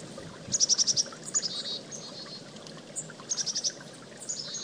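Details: Chickadee calling beside a creek: a quick run of five thin, high notes, a few harsher buzzy notes, then another rapid high series near the end, all over a steady rush of flowing water.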